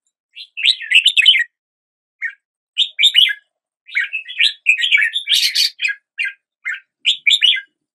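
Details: Red-whiskered bulbul song in lively, jumbled phrases of quick warbled chirps. A short, rasping burst stands out among the clear notes.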